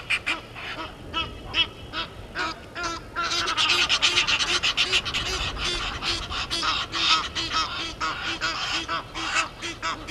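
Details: Egyptian geese confronting intruder geese at Gowrie dam, Djuma Game Reserve, South Africa, 17:08 on 10/04/21, from a live waterhole camera: loud raucous honking, rising to a dense overlapping outburst and then continuing in choppy bursts.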